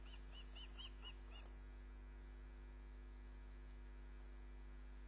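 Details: Female osprey at Loch of the Lowes, 29 June 2010 at 20:34, picked up by a live nest camera as she brings back a fish she caught. A quick run of six arched, whistled chirps in the first second and a half, then steady electrical hum.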